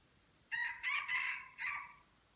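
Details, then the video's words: Crowing-contest red junglefowl from Kuta Malaka, Aceh: a raspy crow of four bursts, a short start, two joined drawn-out notes, then a fading final phrase, heard at moderate distance against steady faint hiss. "Ayam Hutan Aceh # Perang Kokok di Kuta Malaka"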